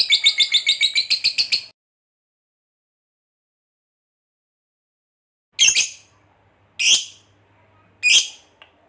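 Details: Lovebird fighter giving its long 'ngekek panjang' trill, used to prompt other lovebirds to sing: a fast, high, buzzy trill of rapid pulses lasting under two seconds, then silence and three separate harsh chirps.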